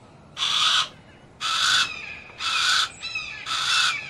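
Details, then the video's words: Four rough, grating squawks from a Harris's hawk, evenly spaced about one second apart, with faint thin whistles between them. "Harris Hawk Noises"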